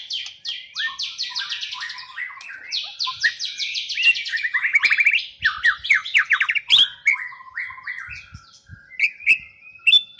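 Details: White-rumped shama, called a champion bird, delivering a loud, varied song of rapid repeated trill bursts and buzzy note series, switching phrases every second or so, with sharp whistled accents, over a quiet background.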